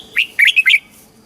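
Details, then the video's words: Single short phrase from a red-whiskered bulbul singing the southern master-pattern song for caged birds and chicks: four quick, bright slurred whistles running together in under a second. "เสียงนกกรงหัวจุก สำหรับต่อ หรือ เปิดให้นกคึก เสียงเพราะๆ"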